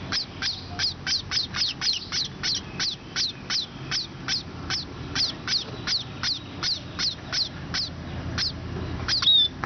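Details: At Pallikaranai, sparrows give clipped, high chirps in an even rhythm, roughly two to three per second, with a faint rumble of background noise underneath.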